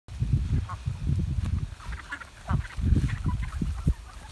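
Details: A flock of call ducks flying, recorded in 2019, gives short nasal quacks in scattered bursts over heavy low rumbling noise.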